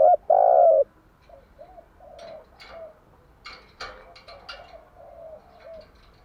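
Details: Spotted dove morning song, played to stimulate captive decoy doves to coo: a loud, low, hollow two-part coo opens, followed by softer, low cooing notes repeated at intervals, with brief sharp higher clicks and chirps scattered between.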